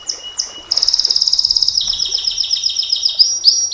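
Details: Canary in long 'nembak panjang' song for training and luring champion birds: a few high sweeping whistles, then a rapid buzzy trill, followed by repeated downslurred high notes and closing sharp chirps.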